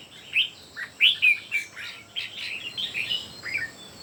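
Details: Red-whiskered bulbuls, three birds in a singing contest, giving softer overlapping warbles and slurred whistled notes, loud phrases early and then a run of quieter chattering notes, with a faint steady hiss behind.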